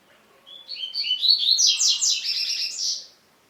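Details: Double-collared seedeater song meant to stir other males into singing: a rapid, dense run of high chirps and trills building in loudness, lasting about two and a half seconds, then stopping.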